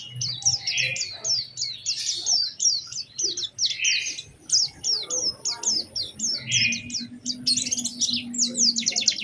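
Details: Lure song of an Oriental white-eye, lively and specially phrased to set other white-eyes singing: a long series of quick, high sweeping notes that speeds into a fast trill near the end.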